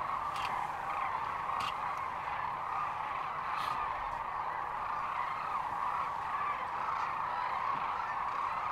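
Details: Sandhill cranes in great numbers at Rowe Sanctuary, Gibbon, Nebraska, March 13, 2014: a continuous roar of rattling bugles, with several sharper, louder calls breaking through the massed chorus now and then.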